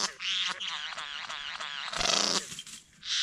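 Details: Satin bowerbird performing its courtship dance at Wombeyan Caves reserve: a dry, buzzy whirring in rapid wavering pulses, broken by a harsh rasping burst near the end.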